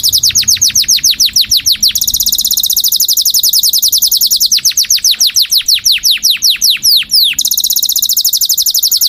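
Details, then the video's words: Canary in full song with a tembakan ciblek passage; long, fast series of high, sharply downslurred notes, pausing briefly, then resuming with accelerating sweeps over a steady high buzz. "Kenari gacor._tembakan ciblek"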